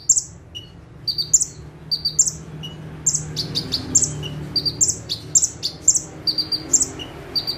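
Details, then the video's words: Konin (bar-winged prinia) perched at a single spot and singing hard in 'tembakan' style: bright, high, clipped notes mostly in doubles, about seventy bursts a minute, with a few softer lower chips and a faint steady hum. "KONIN GACOR FULL TEMBAKAN - CIBLEK / PRENJAK TEBU"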